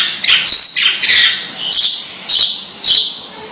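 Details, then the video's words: Long-tailed shrike uttering strange calls: harsh grating squawks delivered in separate bursts, roughly every half second. "Suara Aneh Burung Cendet"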